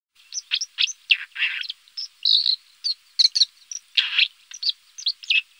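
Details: White-throated dipper singing a lively, scratchy stream of short buzzy notes, trills and sharp chips in quick irregular bursts, with no other sounds.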